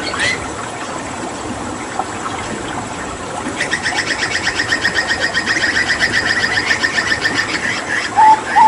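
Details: Hooded butcherbird (Cracticus cassicus), a mimicking songbird from Papua, recorded during water therapy; after a hissy start, a fast run of repeated chattering, trilled notes pulses steadily for about five seconds, ending with two short whistles.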